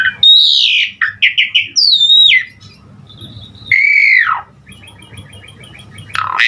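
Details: Asian pied starling (jalak suren), 'gacor' full song meant to set starlings singing: loud, bending whistles and bursts of rapid notes, a long falling slurred whistle, then a soft chattering trill and a final harsh call.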